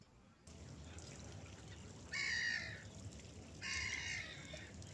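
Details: Gulls flying over a river, with no music added. Two loud harsh calls around two and three and a half seconds, against a steady low rush of water.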